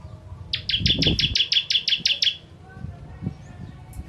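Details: Bar-winged prinia (ciblek kristal) for training contest birds: a short burst of about ten quick sharp chips lasting under two seconds, with low rumbling noise beneath and a quiet tail.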